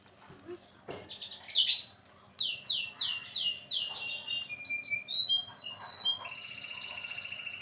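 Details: Pet white-rumped shama (murai batu) during its bathing session before returning to its cage: a run of clear downslurred whistles repeated about twice a second, followed by higher thin notes and a sustained buzzy trill, with splashing at the start.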